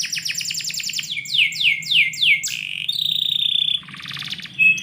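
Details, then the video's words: Morning song of a canary kept indoors, opening with quick repeated downslurred notes, then slower falling whistles, a flat buzzy tone and a brief rattle, over a faint low hum. "KICAU BURUNG KENARI - DIPAGI HARI DALAM RUMAH"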